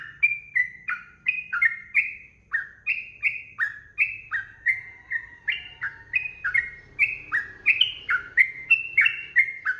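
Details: Sooty-headed bulbul song used as training audio to make caged birds sing: a steady run of short, clear whistled two-note phrases, each sliding down or up, about three per second, over a faint low hum.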